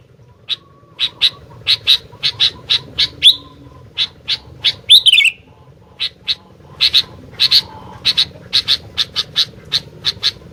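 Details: Short clipped chips from a sooty-headed bulbul in quick succession, interrupted by a couple of twisting downward-slurred phrases, then more evenly spaced chipping, with a faint hum beneath.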